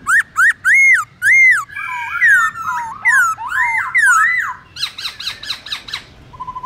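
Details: Forest song of a black-throated laughingthrush for tutoring young birds: loud arched whistles, a tangle of swooping warbled phrases, quicker clipped notes and a brief soft trill at the end.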